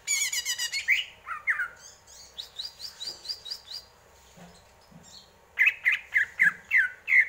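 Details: Greater green leafbird in varied song: loud chattering, a spell of softer mixed notes, then six loud downslurred chirps repeated about every half second.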